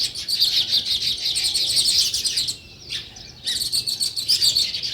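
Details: Steady chorus of sparrow chirps, high and rapid, broken by a brief near-silent pause before the chattering resumes.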